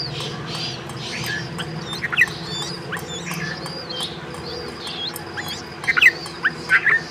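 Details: Bulbul mother feeding and calling her twin chicks: brief sharp chirps near two seconds in, then a cluster of three or four louder chirps toward the end, over faint background twitters and a steady low hum.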